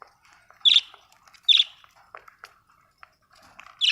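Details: Australian budgie uttering two loud clipped chirps close together, then faint soft twittering and a final loud chirp at the end.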